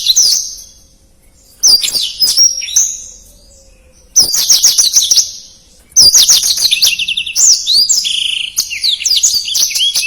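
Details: Blackthroat singing in fast, dense phrases: three bursts of high, sweet twittering and whistled slurs separated by brief silences, the last burst long and varied.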